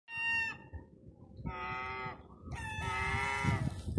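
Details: Hungry seagulls in town-centre Terminus Road, Eastbourne, East Sussex, UK, during lockdown, crying for food: three drawn-out, whining, harmonic-rich wails, the last longest, with low street rumble beneath.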